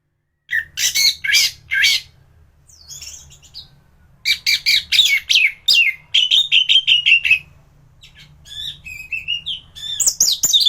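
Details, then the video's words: Song of a thrush (anis) in peak singing form, used to teach other thrushes: bursts of harsh, rapidly repeated notes alternating with clearer whistled phrases and short high twitters. "Burung anis gacoran || masteran untuk burung anis"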